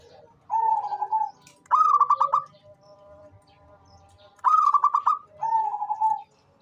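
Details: Zebra dove, local type, calling busily and suited to luring others, repeats its phrase twice: a level humming coo paired with a rapid stuttering series of higher pulses, with a gap of about two seconds.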